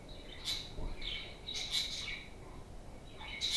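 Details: Several playful parakeets kept at home give bright, sharp chirps in quick bursts, with louder squeaky notes at the start, middle and end between softer warbling chatter.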